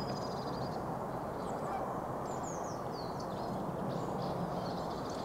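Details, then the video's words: A flock of swans on spring migration gives a steady chorus of overlapping honking, bugling calls, with faint high chirps above. "Joutsenten kevätmuuttoa"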